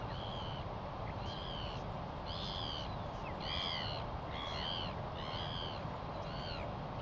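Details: Northern Royal Albatross chick at its nest, being fed breakfast by its father in late July, gives high, thin, wavering whistled notes, roughly one a second, over a steady roar of wind.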